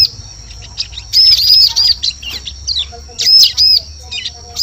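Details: Bar-winged prinia recorded as a lure sound for attracting birds in forest: shrill, high arched chirps in short bursts around one and a half and three and a half seconds, over a steady thin high whine and faint low rumble.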